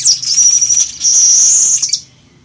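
A Village Weaver gives a high, sizzling, buzzy song in two rapid bursts of about a second each, with a scratchy chattering edge and no other sounds.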